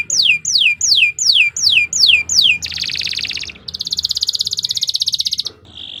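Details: Canary singing as a tutor recording for songbirds: a series of falling slurred whistles, then a buzzy high rattle and a fast even trill of clipped notes.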